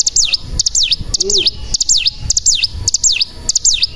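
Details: Bar-winged prinia, lure recording to bring birds into song. Crisp double ticks lead into dipping V-shaped whistles, repeated about every half second. A soft low burble is heard briefly.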